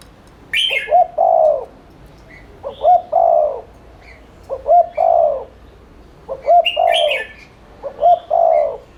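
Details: Spotted dove lure call to prompt cooing: five repeated phrases, each a short double coo followed by a long falling coo, about every 1.8 seconds, with scattered higher chirps from other birds.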